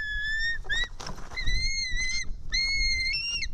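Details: Begging white-tailed eagle chick on an Estonian nest camera, 4 July 2018 around 1:10 pm, being fed fish by a parent: a string of drawn-out, piercing whistled screams, some with short upward inflections, plus rustling and knocking from the nest.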